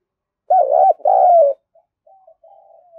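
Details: Loud spotted dove coo meant to trigger a decoy bird's cooing: a trembling first note and a long, gently falling second coo, then soft, distant trailing coos.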